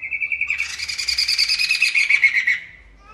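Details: Poksay Mantel bird singing, beginning with a quick series of clear whistled notes that break into a dense, raspy, pulsing chatter lasting about two seconds before fading away.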